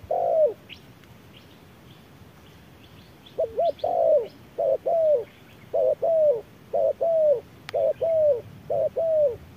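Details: Spotted dove calling under harsh midday sun, a wild bird dueling with a machine-played decoy; low, mellow cooing notes, each slurred and falling, given in quick pairs and short runs about once per second, with quiet rural background.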